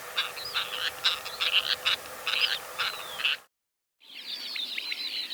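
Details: Sociable Lapwing calls recorded in Kazakhstan: a run of rasping notes and a slurred whistle, then a short silence before a denser wash of overlapping flock chatter begins.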